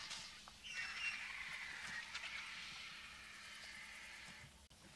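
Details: Vultures, including White-backed Vultures, squabble over a bull African savanna elephant carcass by a roadside in the African bush. Harsh, rasping hisses and screeches blur into a continuous, noisy chorus that ends abruptly with a sharp click.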